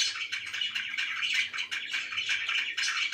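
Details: Steady, busy warbling chatter from pet budgerigars indoors, with a rapid string of chirps running through the whole short stretch.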